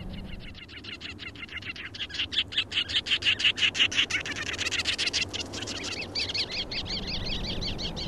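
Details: Sanderling on Bathurst Island in the Canadian Arctic, one of three or four present, giving a fast, buzzy, chattering series of high notes, about three per second, swelling in the middle then trailing into rapid trills; faint wind beneath.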